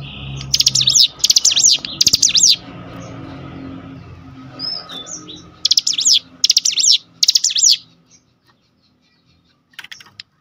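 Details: Cinereous tit song used as a lure to set other cinereous tits singing: three rapid zigzag phrases, a short pause with soft rumbling background, then four more phrases before a brief faint note.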